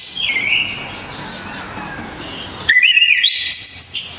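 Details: Java orange-headed thrush, loud sharp song for mastering songbirds: a soft wavering whistle, a pause, then a strong burst of twisting whistled notes climbing to shrill high squeaks.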